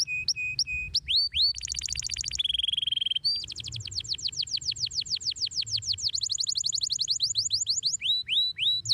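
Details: Canary in long, shrill, gacor song: clear whistled steady notes, then rapid trills and fast downward-sweeping syllables repeated in quick series, switching between phrase types with little pause; faint low hum beneath.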